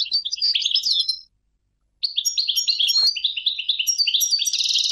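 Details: Goldfinch song in two bursts divided by a brief silence, each a fast liquid twitter of high chirps and tinkling notes, the second longer and closing on a buzzy, jangling phrase.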